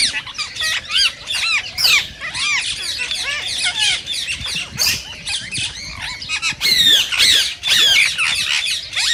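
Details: Green rose-ringed parakeets, whose voices are said to stimulate mating in other parakeets: quick screeching chatter mixed with short arched whistles, roughly two notes a second, several birds calling at once, with a louder burst near the end.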